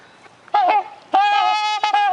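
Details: Trumpeter swans at a bird sanctuary; two loud, nasal, trumpet-like honks, the second drawn out and steady, over a quiet background.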